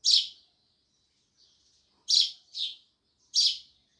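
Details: Sparrows chirping loudly: short, bright, harsh chirps in bursts, three clustered near the two-second mark and another after a pause, with quiet gaps between.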